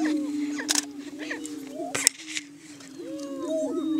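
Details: On a Kansas booming ground in Washington County, several Greater Prairie Chickens hold a continuous low moaning boom during morning courtship display, broken by a few sharp clicks and scattered rising whoops.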